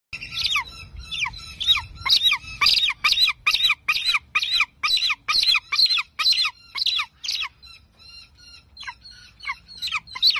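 An eagle gives a fast run of high, thin, down-slurred squealing notes, about three a second, that falter and fade near the end over a faint low rumble.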